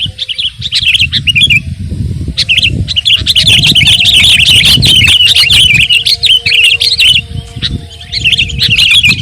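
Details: Lively Sooty-headed bulbul singing for training and provoking other birds: long, busy stretches of high, rapid, jumbled chirps and warbles, briefly broken by gaps, with faint low rumble beneath.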